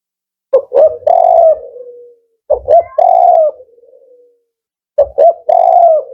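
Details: Male spotted dove in the 'Kuk 4' song style, kept by bird fanciers, delivering three phrases about two seconds apart; each has two short clipped coos followed by a longer, drawn-out mellow coo that fades, in otherwise quiet surroundings.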